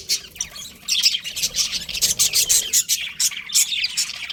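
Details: Chirping budgies: starts softly, then a run of sharp, evenly spaced high chirps and buzzy trills, several birds overlapping.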